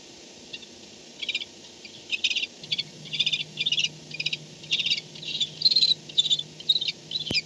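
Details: Nest camera at 4:38 am on 2-10-16 as a barn owl arrives home at night; repeated short bursts of high rasping chitters about every half second, a low hum, and a sharp click at the end.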